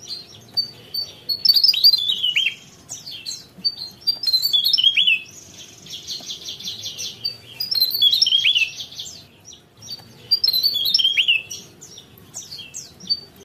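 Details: Javan tesia (Tesia superciliaris) singing its characteristic song: high, rapid tumbling phrases of sharp whistles and descending trills, repeated about every three seconds, with softer chirps between.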